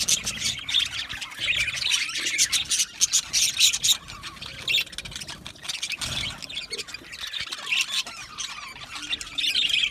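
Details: Australian budgie parakeets chirping in contentment, a constant, gentle flock twitter of high squeaky notes, about four per second, fading slightly toward the end.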